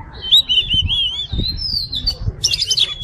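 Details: Oriental magpie-robin, kacer fighter type: a long wavering whistle that holds roughly level in pitch, ending in a scratchy burst, over faint low rumbling background noise.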